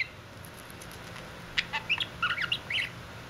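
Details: Pet budgerigar making kissing sounds, a quick run of short chirpy, clicking notes, then warbled squeaky chatter over steady low background hum.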